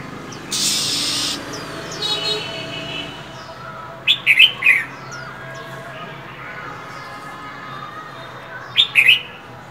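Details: Hen Oriental magpie-robin calling in the winter cold to prompt males: a loud breathy hiss opens, then clusters of shrill, quick chirps come in two bursts several seconds apart.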